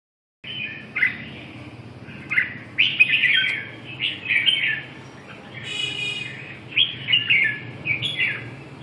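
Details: Red-whiskered bulbul singing in Vietnam: short bursts of rich, warbling whistled phrases, bright and slurred, repeated with brief pauses, plus a short harsh rasping note midway; low steady hum underneath.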